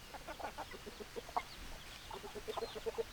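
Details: Short burst of hen clucking, quick low notes tumbling together, then a clear rhythmic series of evenly spaced clucks toward the end, over a light background hiss.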